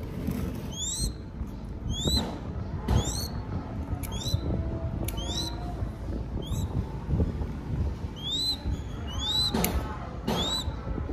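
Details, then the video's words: Crested goshawk nestling fed by hand in Cambodia, uttering repeated high rising whistled squeals, some in quick doubled bursts, with irregular pauses, along with clicks, handling knocks and a low background rumble. "Feeding Baby Crested Goshawk / ឲ្យចំណីកូនស្ទាំងអឿនអិន"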